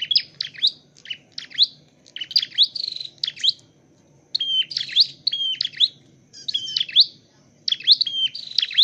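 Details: Dark-necked tailorbird being trained and trapped, singing loud, high chirping phrases of sharp rising and falling notes in quick clusters of three to four, separated by brief pauses, over a faint low background hum.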